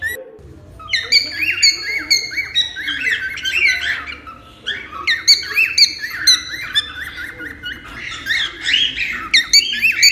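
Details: Cockatiel calls in a busy run of short, harsh squawks and chirps about twice a second, rising and falling notes overlapping almost continuously, possibly from more than one bird.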